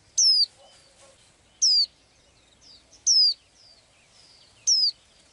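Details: Small bird with blue eyes, singing as it does every day: four bright, high, downslurred whistles roughly every one and a half seconds, with quiet twitters in the gaps.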